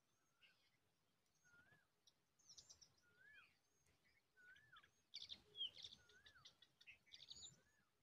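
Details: Cisticola bringing a large winged worm to its chicks; short curved whistled notes repeated about once a second, mixed with thin high chirps and a louder burst of sharp clicking chirps near the end.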